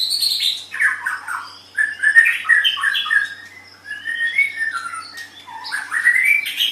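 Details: White-rumped shama song used to tutor pet birds. A rich, rambling medley of quick descending whistles and chirps flows with barely a pause, ending on a rising phrase.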